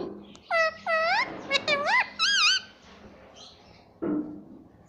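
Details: Talking pet rose-ringed parakeet repeating "mummy": a string of bright curving whistled syllables, the last pair wavering, followed by silence and one low rough note near the end.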